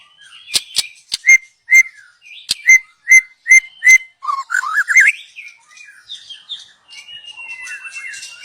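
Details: Young wild white-rumped shama from the forest, singing as a lure: sharp clicks then six evenly spaced short whistled notes, followed by a rising run of slurred notes and quieter warbling.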